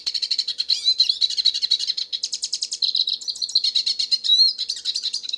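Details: A Hooded siskin in nature, the black-headed wild finch, sings a dense, fast run of high chirps and rolling trills, punctuated by short whistled slurs.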